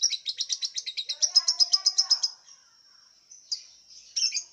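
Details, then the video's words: Caged lovebird kept in a round cage, entered in an online singing contest from Singkawang, West Kalimantan: a rapid run of shrill chirps, about four a second for two seconds, then a thin high hiss and a few scattered squeaks. "LOMBA LOVEBIRD ONLINE 20 - Aksi LoveBird"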